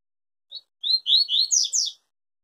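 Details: Tui Tui-style song of a yellow-bellied seedeater, said to never break in its singing: a thin opening note, a brief pause, then a fast string of buzzy, sweeping phrases climbing to a bright finish.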